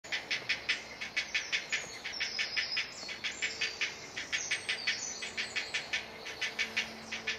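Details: Great blue heron colony with nests and young chicks in woods at Delftse Hout, Delft, South Holland, Netherlands, where a hungry chick cried for food: fast, dry clacking chatter repeated several times a second, with a thin high insect whine behind it.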